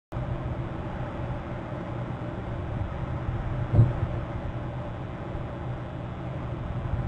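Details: Constant low mechanical rumble like passing traffic, with a single brief knock midway and no animal calls.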